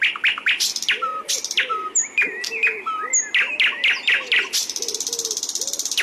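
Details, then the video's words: Sikatan londo (flycatcher) in full, energetic song: varied sharp chirps, short whistled notes and low arched notes tumbling rapidly, ending in a fast buzzy rattle. "sikatan Londo GACOOOOR"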